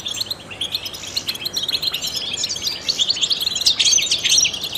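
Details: European goldfinch, a trained bird whose song stimulates other songbirds; fast, tinkling twitter of many short high chirps, growing louder and busier toward the end.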